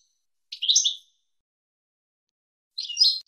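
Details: European goldfinch song used to teach young goldfinches, 2022 season: two short, bright twittering phrases, each a quick tinkling burst under a second long, separated by a pause of nearly two seconds, with silent background.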